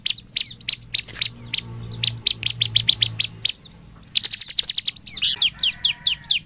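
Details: Energetic Bar-winged prinia song, played to make other prinias respond: fast, high, clipped chips in uneven runs, a short gap, then a quick dense burst and twittering notes, with a faint low hum beneath.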